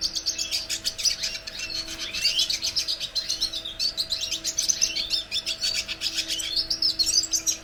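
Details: Red siskin (Venezuelan cardenalito) singing: a fast, unbroken high twitter of chirps, trills and short slurred notes that runs through the whole stretch. A faint steady electrical hum sits underneath.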